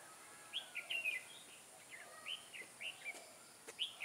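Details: Red-whiskered bulbul with a dark bib, singing a fighting song at a trap beside a caged decoy bird, 21 October 2017; repeated short, liquid warbled phrases of upslurred and downslurred whistles through the whole stretch, with faint clicks between.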